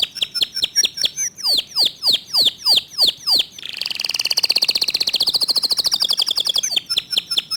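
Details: Fast, tight 'tembakan' song of a local canary: repeated loud down-slurred whistles, a rapid buzzy rattling trill in the middle, then more clipped high notes at the end.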